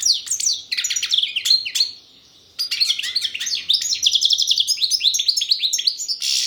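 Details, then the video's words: European goldfinch singing the koкil style of song, a bright, fast twittering run of sharp chirps and buzzy trills, broken by a brief pause near the two-second mark before a longer rapid sequence of repeated notes. "Щегол пение кокил песса"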